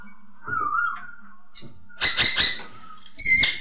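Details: Masked laughingthrush (poksay hongkong) singing, meant to prompt silent poksay to sing: a soft wavering whistle, then loud, harsh, ringing chatter notes repeated in quick succession, finishing with a sharp bright note.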